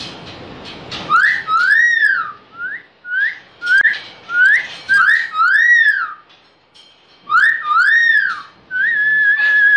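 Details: A Pakistani talking myna imitates speech such as "Allah Hu", "Allah" and "pani bhar do" in clear, whistled, arching phrases, about a dozen short rising-and-falling notes repeated over several seconds, with faint room noise behind.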